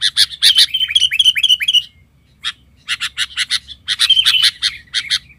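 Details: Sooty-headed bulbul (kutilang) as an excited lure bird against wild birds: a fast series of sliding, falling whistled notes runs into harsh chattering, then a short pause and more choppy, bubbly phrases.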